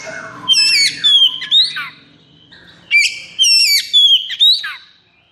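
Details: Kacer, an oriental magpie-robin in the agitated 'konslet' state, repeats two similar loud phrases of clear whistles, steep slurs and buzzy chips, about two seconds apart, with faint low hum behind.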